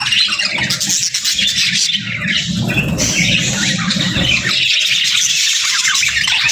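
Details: Budgerigar pairs chattering to each other: a constant, dense warbling of squeaky chirps and scratchy notes, with a low rumbling murmur underneath through much of the stretch.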